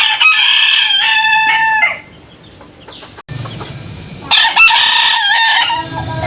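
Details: Rooster crowing: one loud harmonic crow of almost two seconds, then a low murmur of background noise, then a different rooster's crow that rises sharply and holds steady.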